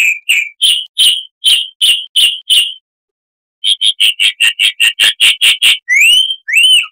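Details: Chalk-browed mockingbird singing harshly, recorded to tutor cage birds: spaced raspy notes, a pause, a quicker run of the same notes, closing with two upslurred whistles.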